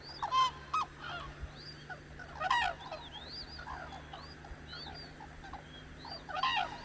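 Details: A flock of cranes on the Hantan River in Cheorwon, Korea, calls at daybreak. Short, harsh trumpeting bursts open and close the passage, with a busy background of many faint, upslurred calls.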